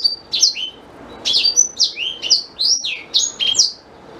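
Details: Black-throated canary phrases used as shama tutor song: crisp high whistles and downward swoops in short clusters, separated by brief silences, with a clean quiet background.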